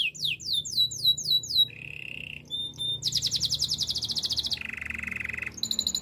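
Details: A Spanish Timbrado canary's training song runs through quick high slurred notes, a low buzzy roll, a thin high note, a long fast bubbling trill, and another steady low roll before brief high notes.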